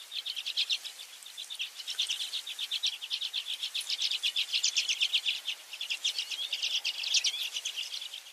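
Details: Newly hatched redpoll chicks give a rapid, continuous chorus of thin, high, overlapping cheeps, about four per second, with no other sounds standing out.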